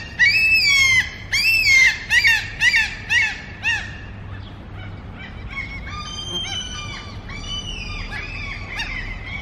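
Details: Mew gulls at food giving a loud series of nasal, slightly wavering cries, about one every half second and fading, followed by fainter overlapping calls from other gulls in the background.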